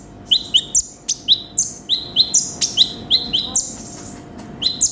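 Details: Sunbird (konin) singing with varied song inserts, recorded as a training recording: high, thin chirps, each dropping into a short level tail, alternating with sharper upper chip notes in a quick irregular run, plus a faint constant hum.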